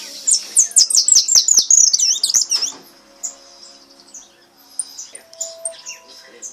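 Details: Pardo goldfinch delivering a repique: a rapid string of bright, high, slurred notes for two seconds, followed by sparse, quieter high chips and faint background sounds.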